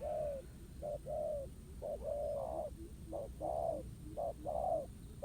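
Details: Spotted dove in a duel with a ground decoy at a trap: overlapping low coos from more than one bird, short and long notes interleaving, some longer phrases held flat, over steady rural background.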